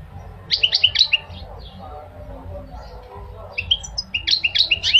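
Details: Two lively bursts of chattering goldfinch song, clusters of quick high chirps and trills, with a quieter pause of soft murmuring background between.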